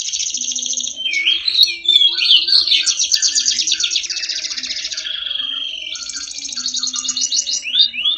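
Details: Prize-winning canary delivering a long, varied song: warbled notes, then sustained buzzy rolling trills for several seconds, a steady whistle, and another fast trill, with faint low background hum.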